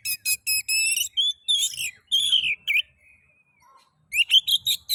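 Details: Oriental magpie-robin (kacer) song played to provoke other magpie-robins to sing: repeated high chip notes leading into long, sweeping whistles, a short pause with a faint low note, then another quick series of rising chips.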